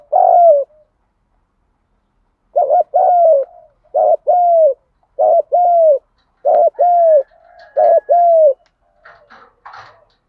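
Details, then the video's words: Spotted dove coo used for training decoy birds: a lone mellow note, then a steady run of six two-part coos about a second apart, ending in a short scratchy rustle. "tiếng chim cu gáy thúc gù, chim cu gáy kích bổi và luyện mồi nhanh gáy nhất hiện nay"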